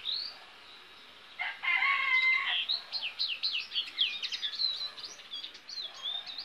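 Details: Goldfinch hybrid song, fainter against a noisy background: a short harsh burst followed by a fast series of sharp twittering notes and buzzy slurs.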